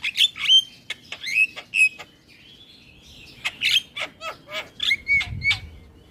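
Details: Javan myna singing with head nods: a mix of sharp clicks, short whistled slurs, and harsh squeaky notes, with a short quieter gap midway.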